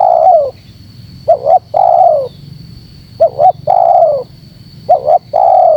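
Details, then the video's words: Calling spotted dove used as a lure to provoke wild birds. Three phrases each pair a quick double coo with a long descending coo, evenly spaced, over a faint steady whine. "Suara Terkukur Menekan Rapat Lawan Pemancing EMOSI Terkukur liar"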